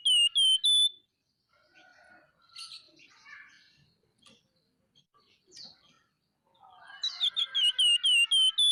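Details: Scaly-breasted munia in vigorous, chattering voice: a few loud whistled notes open, soft scattered twitters fill the middle, then a rising jumble of chatter leads into another rapid run of ringing whistles.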